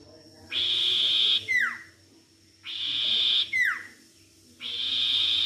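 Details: Sirtu, a bird kept by songbird hobbyists, heard in a lure recording meant to make a silent bird sing: a bright sustained buzzy trill, then a sharp descending whistled note, repeated about every two seconds.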